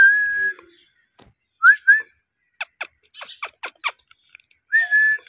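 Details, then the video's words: A pet ringneck parakeet, or rose-ringed parakeet, whistles a level note. Two short rising whistles follow, then a quick burst of about eight harsh clicking chirps and a final sustained whistle. "Ringneck parrot talking"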